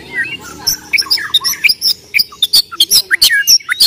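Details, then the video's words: White-rumped shama of the Borneo type singing in fighting mode: a rapid, varied run of loud whistled slurs, sharp high chips and harsh squawky notes, mostly high-pitched, coming in quick bursts with short gaps. "MURAI BATU BORNEO TARUNG"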